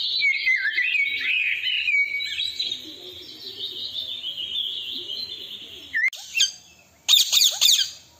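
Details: Three parrots perched on branches calling: a long raspy, wavering screech sliding up and down, holding steady for several seconds, then a few sharp harsh squawks and a burst of high chattering notes.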